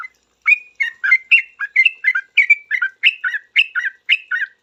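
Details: Sooty-headed bulbul in full song, quickly answering other bulbuls with noisy rapid chatter: bubbly, liquid two- and three-note phrases, fast and nearly continuous, each burst rising and falling in pitch, with no other sounds.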